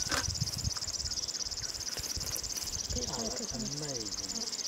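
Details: A river warbler, recorded in Belarus in 2014, gives its steady, high, mechanical buzzing song of rapid rhythmic pulses, like a sewing machine or cricket; people talk quietly partway through.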